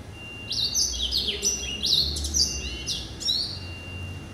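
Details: Male hybrid of yellow-eyed canary and Timbrado, kept indoors since January 2013, sings high sliding whistles and short clipped trills in rapid succession, with a steady faint tone and low hum in the background.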